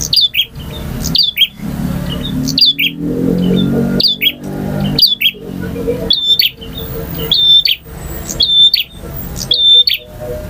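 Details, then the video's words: Male bar-winged prinia in varied long song, ngotot, ngalun, variasi and kristal styles: clipped, very high whistled notes with sharp clicks, repeated about fifty times a minute over a low murmuring background. "KICAU PRENJAK JANTAN FULL VARIASI DURASI PANJANG || NGOTOT,NGALUN,VARIASI,KRISTAL"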